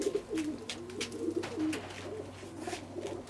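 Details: Young pigeon, raised as a baby from two weeks old to four months, giving low, soft cooing notes in short wavering phrases indoors, with scattered clicks and rustling around it.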